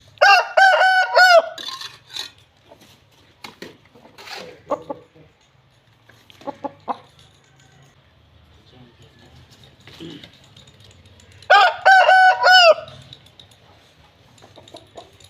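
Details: An Aseel rooster held in its owner's hands crows twice, a harsh, strongly harmonic cock-a-doodle-doo with soft clucks between.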